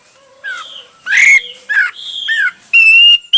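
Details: Hwamei song in one of its several styles: scattered whistled and harsher slurred notes, irregularly spaced, ending in a long, steady clear whistle.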